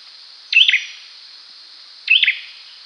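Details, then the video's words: Two crisp high chirps from an olive-backed sunbird, about one and a half seconds apart, each a quick sharp burst against steady background hiss. "Suara cinenen jawa || Cyninniris jugularis || Call and Song Jernih...."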